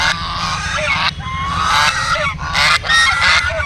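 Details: Flock of ducks giving a steady din of raspy honking quacks, many voices overlapping, with short dips in loudness.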